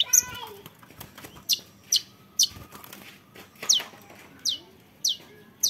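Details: A young long-tailed shrike gives a few rough notes at the start, then spaced, sharp, downward-slurred high chips, roughly every half second to second, over a faint background hiss.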